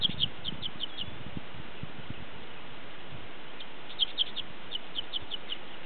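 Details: Dickcissel (Spiza americana) singing at Spring Green Preserve in June: two bursts of sharp, dry chirped notes in quick series, high-pitched, over steady low wind rumble.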